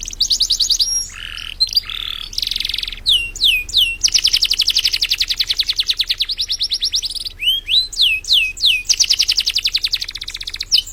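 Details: Canary singing non-stop as a model song for training birds, alternating low buzzy bursts, arching whistled sweeps and long fast trills of evenly repeated high notes, with loud rhythmic pulses throughout.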